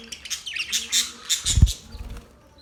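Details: Budgie chirps and squeaky warbled notes in quick succession, with a low knock midway through.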